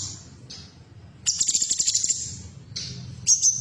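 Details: Female Black-headed Bulbul (cucak cungkok), played to stimulate caged birds to sing: very high, thin buzzy notes with a rapid stuttering trill in the middle, over low background rumble.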